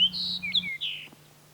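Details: Fox sparrow of the northern subspecies, a bird that breeds and sings in northern conifer forest, its song called rich, delicious and joyful; a short series of clear sweet whistled notes, slurred and varied, over a steady low hum.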